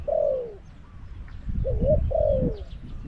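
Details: Caged spotted dove used as a decoy to lure wild doves at Song Phi Nong, giving two coo phrases. Each is a short rising note followed by a long, mellow, falling coo, with low rustling background noise.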